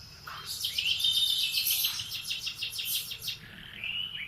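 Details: Morning canary song: a dense, rapid trill of repeated high notes lasting about three seconds, ending in a drawn-out whistled tone.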